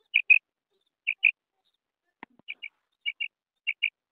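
A female quail gives short, high, paired notes, about five double chirps spaced under a second apart, with a faint click partway through.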